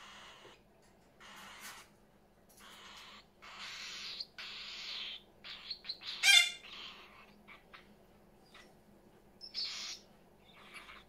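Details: Parrots in a house full of parrots: harsh, raspy screeches in irregular bursts separated by short pauses, one louder squawk near the middle, over a steady low indoor hum.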